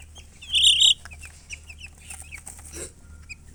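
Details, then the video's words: Baby chickens: a loud buzzy high burst, then several soft, short rising peeps scattered over a few seconds, with faint clicks and low hum beneath. "Baby "Chicks Chirping""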